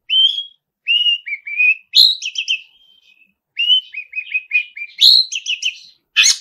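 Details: Long-tailed shrike singing hard, full of mimicry: clear whistled notes slur into rapid twittering runs, with short sharp squeaks between, ending on a harsh burst.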